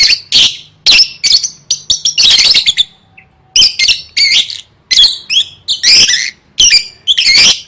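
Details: Gacor-style lovebird song meant for gantang competition training: dense rasping chatter delivered in quick bursts, about one every half second, some shrill and scratchy, almost continuous throughout with brief silent gaps.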